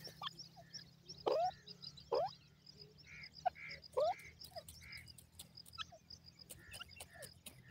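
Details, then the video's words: Grey francolin, locally called irani teetar, calling: loud, harsh notes sweeping upward, given about once a second in a loose series, with shorter nasal notes between them, over a low steady hum and faint chirps from other birds. "irani teetar ka aabaj calling, Partridge sound, Francolin voice"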